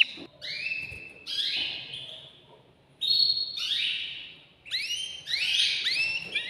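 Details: Agitated caged male canary singing to stimulate a female to mate: separate bright whistled phrases with sliding, stacked notes, each burst lasting about a second, then short pauses, repeated in three bursts.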